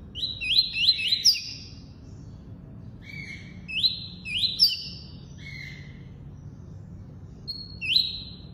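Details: Double-collared seedeater, tuí-tuí song style: rapid chains of three rising whistles with buzzy level tails open the phrases, mixed with lower flat buzzy notes. A lone rising note comes near the end against soft low background noise.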